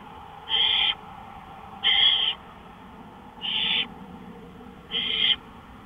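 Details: Owl out on a porch at 1:53 AM, May 5, 2013, making four rasping, hiss-like screeches, roughly one every 1.5 seconds, each about 0.4 seconds long, over low background hiss.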